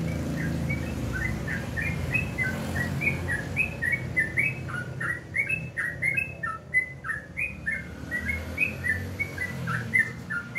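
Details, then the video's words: Sooty-headed bulbul (trucukan) singing in the morning: a long run of short whistled notes around the mid range, each dipping or rising, delivered steadily one after another over low background rumble. "alarm pagi,suara burung trucukan"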